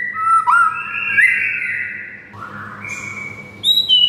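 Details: White-rumped shama master song, played to rouse silent shamas into excited singing: long, clear whistled notes held level, with short slurred rises, then a higher whistled phrase and bright upslurred notes at the end.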